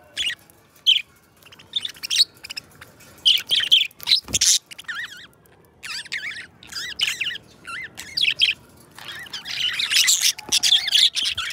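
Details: Two pet budgerigars chattering: scattered short squeaks and wavering, slurred whistled notes that rise and fall, growing into a dense, scratchy warble toward the end, over low background hiss.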